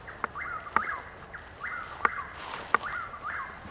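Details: Chuck-will's-widow at Hungryland Slough, Palm Beach County, Florida, 21 March 2015, two hours before sunrise in woods, Nikon Coolpix AW100 camera: three or four clear whistled phrases, each lifting then dropping, with occasional sharp clicks and a brief rustle.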